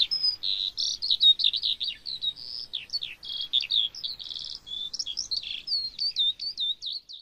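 A lark sings a long, fast, unbroken stream of high warbled, trilled and buzzy notes, chattering on without pause; no other sounds intrude.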